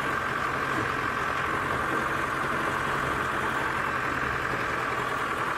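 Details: Idling engine drones steadily at sunset in Kenya, a dense even roar with a low hum underneath and no animal calls breaking through.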